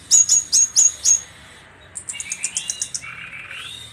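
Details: Orange-headed thrush trotol song: five loud, high, clipped notes in quick succession, then a softer rapid series of high ticks over a thin rising whistle.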